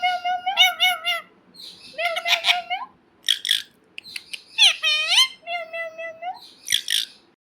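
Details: Nonstop talking parrot: rapid run of speech-like syllables, some gliding and wavering, mixed with harsh, hissy bursts, continuous chatter with short pauses throughout.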